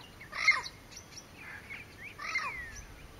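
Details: A Southern screamer with a juvenile at Porto Jofre, Pantanal, Brazil, on 25 September 2013, gives two loud, harsh honking calls about two seconds apart. Softer nasal notes come between them against a quiet background.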